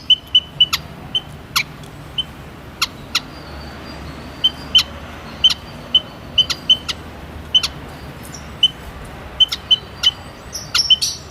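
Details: White-headed munia repeating brief high piping notes, singly or in quick clusters roughly every half second to second, punctuated by sharp clicks, over soft low background noise.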